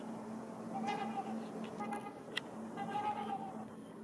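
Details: Trumpeter swans, two pairs, wait on Rush Lake ice for open water and call to claim a nesting site. Nasal, brassy honks sound in three drawn-out bursts with a faint low hum underneath.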